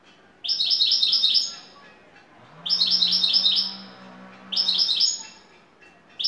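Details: A Turkish "şakşaklı" European goldfinch sings bright, tinkling twittered phrases about a second long, repeated roughly every two seconds, with a faint low hum between them.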